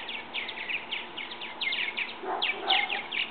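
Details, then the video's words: Young purple martins from a bird house, now old enough to fly from the nest; a steady chatter of short, buzzy chirps, followed by a louder, richer gurgled phrase in the second half. "Purple Martin birds leaving their nest"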